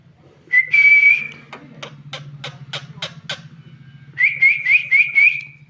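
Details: A parrot whistles a level note, then gives a series of about eight sharp clicks and ends with repeated short upslurred whistles, over a steady low hum.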